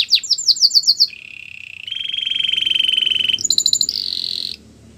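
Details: Canary singing to stimulate a quiet bird: quick high chirps, then a long steady buzzing trill, a short burst of sharp notes and a higher rolling trill.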